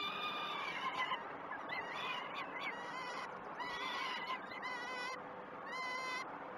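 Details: Peregrine falcon chicks begging at feeding on the Great Spirit Bluff nest cam, 12 June 2018; choppy, harsh calls broken into short wavering pieces, several overlapping, with quieter stretches between.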